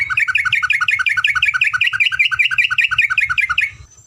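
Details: Yellow-vented bulbul in a tutor recording of long ropelan: an unbroken, fast series of sharply repeated high-low chirped notes for over three seconds, ending abruptly in near silence.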